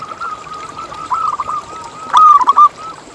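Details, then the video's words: Local zebra dove song, played as a lure to make other zebra doves keep singing: a steady run of soft, rolling coos with a louder, bright burst of coos near the end over a faint hiss. "Lokal Gacor Suara Paling ISTIMEWAcUntuk Pancingan Burung Perkutut Agar BunyiTerus"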